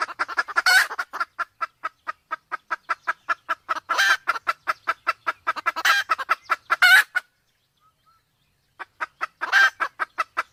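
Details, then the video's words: Male and female Sumatran red junglefowl, the hen in heat, used to lure wild birds: long, steady strings of sharp clucks with occasional harsher, stronger notes, a silent gap, then the clucking resumes. "suara ayam hutan Sumatra || jantan betina kombinasi betina birahi"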